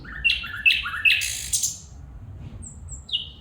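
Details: A female bulbul calls with three or four sharp, rising chirps about every half second, each with a buzzy tail, then a pair of faint, high, thin whistles and a final downslurred note.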